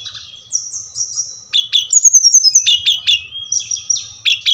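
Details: Brown-chested jungle flycatcher of the Bali type, played so captive birds answer and sing: a series of high sliding whistles, then bright repeated chip-and-whistle notes roughly every half second, with a faint low hum throughout.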